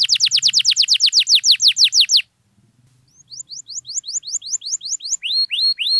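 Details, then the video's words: Canary song meant to coax a silent canary into singing: a fast series of bright downward-sweeping notes, a short silence, then rising slurred notes and deep hooked whistles repeated in quick succession; faint low hum beneath. "KENARI GACOR MANTAP DURASI PANJANG, AMPUH BUAT PANCINGAN KENARI DIAM LANGSUNG RESPON"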